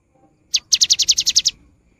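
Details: Cinereous tit singing energetically, a recording meant to coax quiet birds into song: one short high note, then a fast run of nine bright, evenly spaced piercing notes lasting under a second, against a quiet background.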